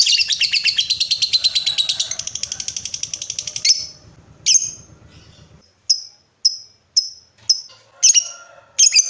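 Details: Lovebird ngekek, used to prompt other lovebirds into long trills: a fast rattling trill lasts almost four seconds, then breaks into sharp single chirps spaced about half a second apart.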